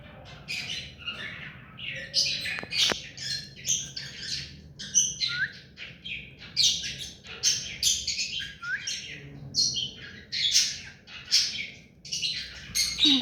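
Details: Hand-tame pet rose-ringed parakeet chattering almost continuously: dense, high, scratchy chirps and squeaks, some with short rising slurs, in irregular bursts.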